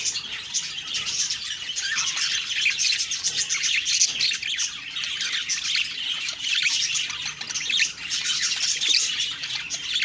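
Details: Several budgies chirping in the morning, producing a lively, nonstop warble of bright chirps, trills and quick up-and-down notes layered over each other.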